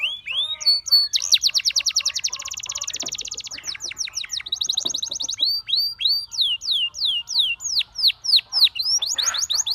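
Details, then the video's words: Canary singing to call and tempt other canaries to sing: fast trills of repeated high notes, rapid buzzy rolls, then a run of descending whistled sweeps, loud and continuous throughout. "Your Canary Calls And Tempts All The Canaries to Sing"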